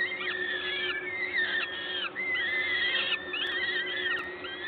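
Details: Peregrine falcons at a nest in Gdańsk, Poland, on 14 May 2022 at 11:07, during a feeding by a parent; drawn-out wheezy whining calls sliding up and down, overlapping nearly continuously, over a steady low electrical hum.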